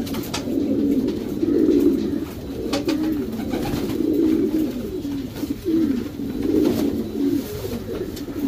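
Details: Racing Homer domestic pigeons in their breeding section give deep, husky cooing phrases, each swelling and fading over about a second, repeated back to back with brief gaps and light background scuffling.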